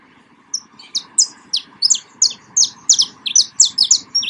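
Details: Saffron finch song in the wild: after a short quiet start, a steady run of bright, high, downslurred chirps repeats rapidly, almost three per second, with a soft hum beneath.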